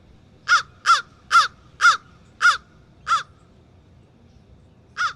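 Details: Crows from a murder that frequents the area, recorded through a backyard window: seven loud, harsh caws in a fairly even series about every half second, a pause, then one final caw.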